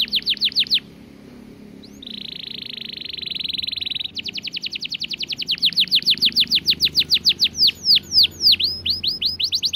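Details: Canary song: a quick burst of rapid notes, a pause, a steady buzzy trill, then long fast runs of descending notes that widen into curved sweeps.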